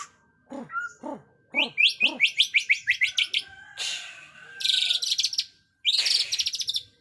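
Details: White-rumped shama delivering a dense, varied song: a few low hollow notes, then a fast run of about a dozen sharp rising whistled notes, followed by bursts of rapid buzzy high trills.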